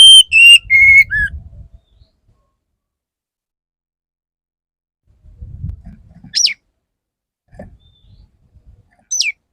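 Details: Courting male Oriental magpie-robin: a burst of loud whistled notes stepping downward, then long silence broken by two sharp descending whistles, with faint low rumbling.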